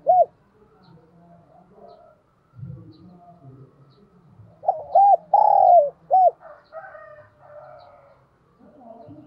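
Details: Spotted dove kept as a decoy, cooing to call in wild doves. One clear phrase of two short arched notes, a long sliding coo and a short end note. Soft low rumbling and scattered background sounds run throughout.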